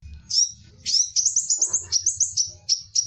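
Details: Crimson sunbird, known locally as kolibri delima or sepah raja, giving a call used to lure wild birds: a fast series of thin, very high chirps and twittering notes, rising slightly in a few places, with a soft low rumble beneath.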